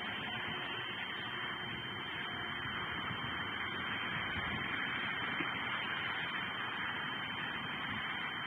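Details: Steady broadband hiss and static fill the recording, with no animal calls heard.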